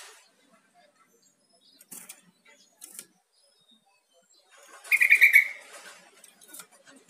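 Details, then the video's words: Yellow-vented bulbul calling, intended to make a kept bird answer and call more; one loud rapid chattering burst in the middle, preceded by a few faint ticks. "SUARA PANGGILAN TRUCUK"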